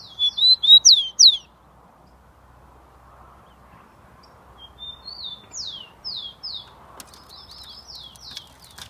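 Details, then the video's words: Rufous-collared sparrow, a kept tico-tico from São Paulo recorded 27 September 2015, singing hard: loud opening burst of sharp downslurred whistles, then a quieter run of high slurred notes trailing into fast chips. "Tico Tico JK cantando muito."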